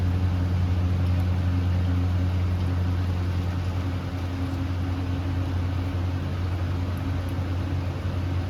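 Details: A steady, loud low-pitched drone like a running engine or motor, with constant humming tones and no animal voices.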